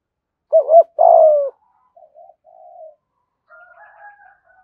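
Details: Spotted dove with a decoy-style cooing voice: a double note then a long falling coo near 600–700, followed by soft low murmurs and faint higher tones.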